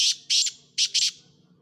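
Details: Black francolin, known locally as kala teetar, gives four loud, harsh, scratchy notes in two quick pairs, with a faint low hum in the background.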